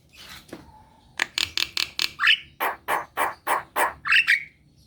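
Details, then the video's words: Javan myna singing briskly to spur sluggish kept birds: a burst of sharp clicks and rasps, then a row of loud harsh notes about every quarter second, broken by short rising whistles. "Pancingan jalak kebo malas bunyi | jalak kebo gacor"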